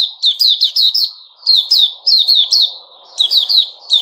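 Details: Sooty-headed bulbul, 10 July 2021, pouring out rapid, repeated bubbly phrases of sharp, slurred notes with short gaps, over a faint low murmur in the background.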